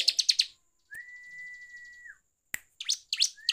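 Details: Bar-winged prinia lure song in ngeplong style: a few quick high chips, then one long level whistle held about a second, followed by scattered sharp sweeping notes.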